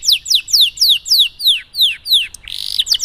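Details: Song of a domestic canary, the luxurious 'cengkok mewah' variation, used as a tutor to get canaries singing quickly: bright descending whistled notes repeated evenly, then a dense buzzy rattling roll at the close.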